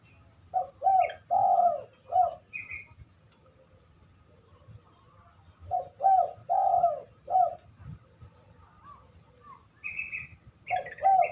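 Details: Spotted dove in full song, giving low mellow cooing phrases of three to four notes, each phrase opening with a rising coo and a longer drawn middle note, repeated about every four to five seconds with quiet pauses between.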